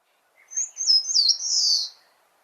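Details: Eastern Crowned Warbler song, photographed on Mudeungsan, a common summer visitor in Korea and a very small bird: a thin, very high phrase of a few soft lower notes, then sharp high notes ending in a long buzzy trill, quiet background.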